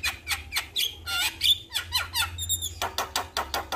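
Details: Male Javan myna calling other mynas: rapid harsh rasping notes and short bent whistles, a noisy squawk midway, then a quick train of clicking calls.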